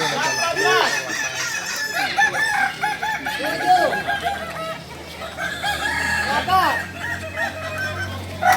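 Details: Kukuak Balenggek roosters, native singers of Solok, practising for performance: many overlapping crows with chains of quick arched notes, steady throughout, and a sharp loud call at the very end.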